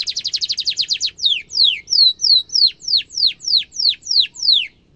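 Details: Canary singing for training young and adult birds: a rapid trill of sharp notes, then a steady series of clear downslurred whistles about twice a second.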